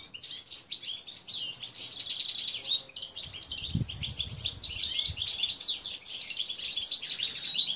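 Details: European goldfinches of the Balkan subspecies balcanica, kept in an aviary and recorded on 13 June 2014. Dense, continuous high twittering with rapid tinkling chirps and trills overlapping throughout, plus a few soft low thuds midway.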